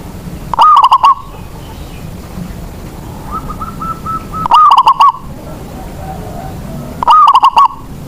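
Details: Local zebra dove from Indonesia, kept to prompt reluctant doves to sing, gives three loud phrases, each a rising coo breaking into a quick run of clipped notes. A fainter, steady cooing from another dove fills the gaps.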